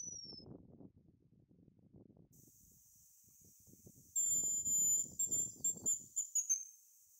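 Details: Male hazel grouse whistling its song at close range: thin, very high whistles in a quick run of short notes from about four seconds on, following low rumbling noise at the start.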